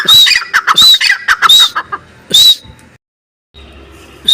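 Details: Partridge calling: loud, harsh, squawking phrases with a thin, high whistled note, repeated rapidly about once a second, then a brief silence and a fresh note starting.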